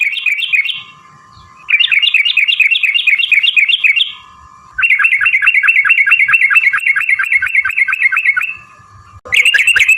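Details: Sooty-headed bulbul in a long-phrased fighting song used as a lure to make other birds sing back: rapid bubbly chattering notes in three long bursts separated by brief pauses, with a steady low hum between.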